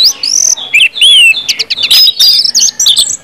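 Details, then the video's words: Orange-headed thrush singing ngeplong style, used to coax other birds into fast, constant song. High, clear whistled slurs followed by rapid chattering notes and sharp twitters in a short, busy sequence. "KUMPULAN ANIS MERAH NGEPLONG BIKIN CEPAT BUNYI DAN GACOR ANIS MERAH"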